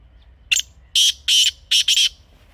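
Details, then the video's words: Grey francolin giving one harsh, strident phrase: a brief clipped note, then a series of loud raspy bursts, the last two run closely together, against a quiet background. "تازہ تیتر کی اصلی آواز | Teetar Ki Real Voice 2026 | Best Teetar Calling Sound for Hunting"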